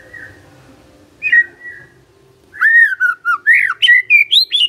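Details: Murai (magpie-robin) giving a loud whistled phrase, a pause, then a sequence of bright, rising and falling fluty notes, each clearly separated, ending on higher sharper whistles.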